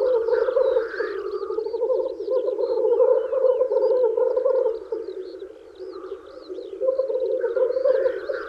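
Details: Black grouse males courting females at a spring lek make a continuous bubbling, gurgling chorus, with a hoarse rising hiss at the start and another near the end, over light chirps of small birds.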